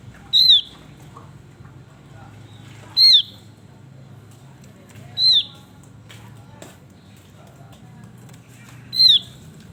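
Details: Over almost ten seconds, a singing male Javan grey-throated white-eye gives four short, piercing, downslurred whistles at intervals of two to four seconds against a quiet background.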